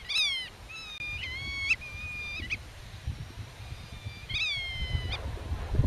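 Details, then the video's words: Black-tailed godwit in nest defence, giving long flat nasal calls in quick succession, some ending with a sharp upturn, over gusting wind. "Rycyk w obronie gniazda - Limosa limosa"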